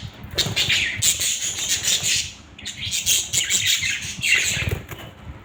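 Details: Several budgerigars having fun, giving dense, scratchy high chirps and warbling chatter in overlapping bursts that rise and fall throughout, with soft low thumps and fluttering noise underneath.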